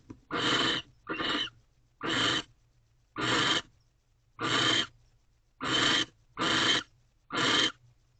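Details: In a nest box early on a March morning, a male barn owl courts the female with a new rodent; eight breathy, rasping screeches at roughly one-second intervals, with faint steady hum between them.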